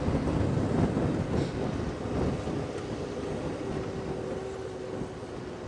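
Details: Continuous engine and wind rumble from a safari drive at sunset, dense low noise with no animal voices.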